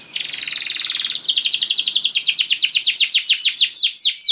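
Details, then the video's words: Canary song used as a lure: a buzzy high roll followed by a long run of rapid downswept notes that gradually slows toward the end. "Seketika Kenari Kondisi Apapun Akan Langsung Respon Bunyi Gacor Panjang Tanpa Nunggu Lama"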